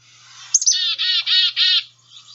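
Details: Black-capped Chickadee giving its main namesake chickadee-dee-dee call, in a Northeastern U.S. bird guide: two quick high notes, then three harsh, buzzy 'dee' notes, each about a third of a second long.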